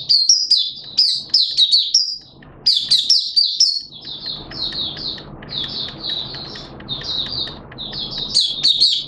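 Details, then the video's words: Malaysian Oriental white-eye, 'buka' opening song, 21 June 2023: bursts of high rapid chirping, then softer, evenly spaced short twitters over a wash of low background noise, rising again at the end. "Malaysian Mata Puteh Buka Sing"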